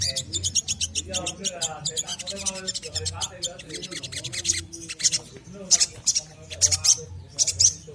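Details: Energetic little spiderhunter song, a lure for untamed captive birds to start singing: dense runs of very high, rapid chipping notes in irregular bursts, with fainter lower warbling underneath.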